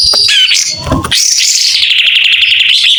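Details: White-rumped shama in full song, tail spread: a quick whistled slur and harsh chatter, then a long steady buzzy trill held high for about two seconds.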